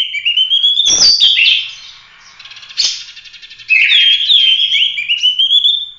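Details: Oriental magpie-robin singing loudly for training other songbirds, a rapid run of whistled slides and harsh buzzy bursts, a short quieter gap near the middle, then bright rising and falling whistles.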